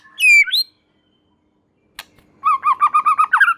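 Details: White-rumped shama in vigorous song said to prompt other shamas to sing: loud rising and falling whistles, a pause with a click, then a rapid run of about eight looping whistled notes.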